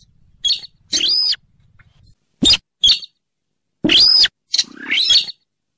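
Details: Rail, locally called sintaran sawah, weris or mandar dengkur, used as a trapping lure: loud, harsh, clipped bursts with ringing arched overtones, given in separate blasts about half a second long with short pauses.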